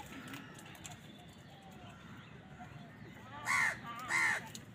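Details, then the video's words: Crow among wild birds fighting with crows for food, giving two loud harsh caws in quick succession near the end after a stretch of faint distant calls and low background hum. "Crow Bird Crowing Sound | Wild birds fight with crows for food | কাকের ডাক Crow Sound"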